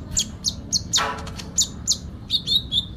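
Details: Sooty-headed bulbul giving a full fighting song with fill-in phrases: sharp, high chirps and short rising squeaks repeated in bursts, one louder broad note near the middle, over a low background rumble.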